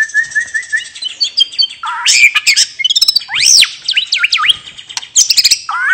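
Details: White-rumped shama in relaxed 'ngeplong' song meant to coax other birds into singing: a repeated whistled note, then loud looping, arching whistles and quick chirps.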